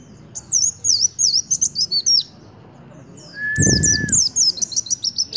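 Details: White-eye singing aggressively at a sunbird in fast strings of very high, slurred notes. A brief steady whistle-like tone and a loud broadband thump interrupt it midway. Then the quick chattering series resumes.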